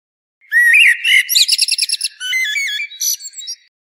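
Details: European goldfinch singing a rigolade phrase: a bright, rising twittered opening, then a rapid run of about six evenly repeated liquid notes, followed by warbled, trilling twitters and a final short chirp, in a quiet setting.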